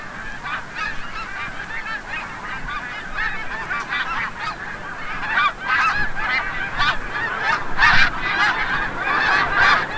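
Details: Snow geese returning from the bay at sunset at Forsythe National Wildlife Refuge, Oceanville, New Jersey: a large flock giving dense, overlapping nasal honks and yelps, softer at first and swelling louder toward the end.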